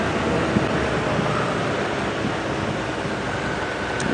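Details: Steady wind and vehicle engine rumble fill an outdoor safari drive recording, with broadband noise throughout and no animal voices.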